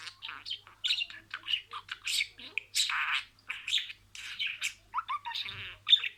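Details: Talking budgerigar repeating words: a steady stream of raspy, warbled syllables and squawky notes, fairly loud and close, with short breaks between phrases.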